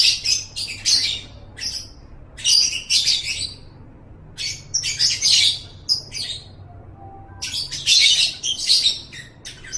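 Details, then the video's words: Rapid, scratchy lovebird twittering from a recording for training other birds, delivered in clusters of quick high notes with brief silent gaps between groups, about three bursts of chatter over the stretch. "Masteran Suara Burung Love Bird"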